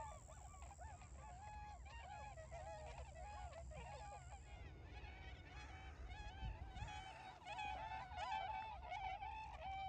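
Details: Newly arrived migrant tundra swans in rice fields around Ochigata lagoon, Hakui, Japan, 3 November 2022, calling energetically and flying about; a dense overlapping chorus of nasal, honking, whooping calls with steady low rumbling wind in the background.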